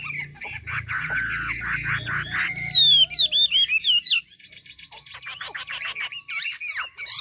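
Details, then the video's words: Chinese hwamei from Ha Giang, Vietnam, in natural song for training birds to sing: loud, varied whistled phrases with slurred rising and falling notes and quick trills, softer choppy notes after four seconds, low hum early on. "Mi đẹp Hà Giang. #713 bộ đẹp hót hay cực víp tiếng hót thiên nhiên, luyện cho chim hót hay."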